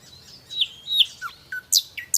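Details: Nightingale song fragment with high sliding whistles, a lower falling note and sharp, separated high clicks near the end.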